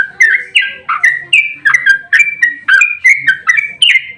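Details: Yellow-vented bulbul giving an agitated fighting song used as a lure to draw replies from other bulbuls; clear gurgling notes, rising then falling, delivered in a brisk regular string about three per second.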